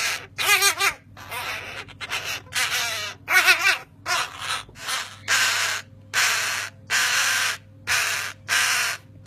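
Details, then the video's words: Three small crow chicks in care, taken from a nest on an unused crane and too young to regulate body temperature, beg with harsh, hoarse caws, about a dozen rasping calls in nine seconds over a steady low electrical hum. "Noisy crow chicks"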